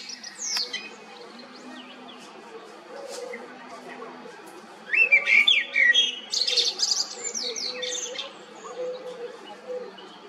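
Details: Common blackbird singing amid a repeating low mechanical hum: a loud cluster of fluted whistles and scratchy twitters in the middle, trailing into softer notes.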